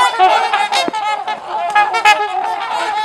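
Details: Several trumpeter swans socializing at LaSalle Park, Ontario, Canada, giving overlapping, resonant horn-like honks, rapid and irregular, blending into a continuous brassy chorus.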